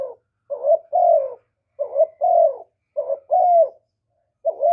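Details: Spotted dove calling to rouse newly kept doves, delivering steady paired coos, a short buzzy note and a longer descending one, roughly every second and a quarter, clean and without other sounds.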